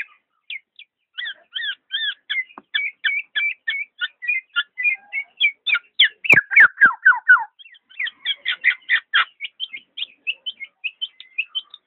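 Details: Black-naped oriole in a long, rapid run of paired high notes, about four per second, swelling into a loud string of downward-slurred calls before returning to quick twittering.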